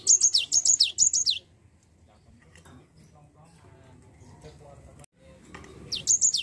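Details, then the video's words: Java sparrow lure for prompting a lazy bird to sing; high down-slurred chirps open in a quick triple burst, a long quiet stretch with faint murmuring follows, and a fresh burst begins at the end. "Pancingan Gelatik Malas Bunyi"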